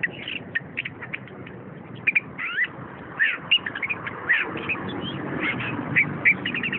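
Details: Orange-headed thrush (anis kembang), a caged bird, singing a rapid run of short whistled notes and slurred rising and falling phrases, busy and irregular, over a low background hum.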